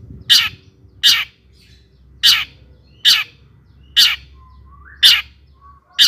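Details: Long-tailed shrike used as a lure to excite other shrikes into singing: loud, rasping, scratchy notes repeated roughly once a second, with quiet gaps between, a faint thin whistle heard near the end.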